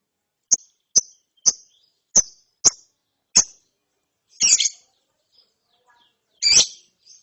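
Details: Lovebird chick after therapy giving ngeriwik chirps: six crisp, high, clicky chirps about half a second apart, then two longer, harsher, rasping bursts separated by quiet gaps, with a faint high note at the close.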